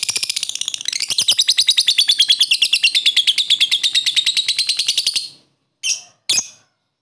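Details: Lovebird sound used to stimulate lethargic, quiet lovebirds into singing: a fast, dense, high chattering trill of rapid repeated notes lasting about five seconds, followed by two short separate chirps.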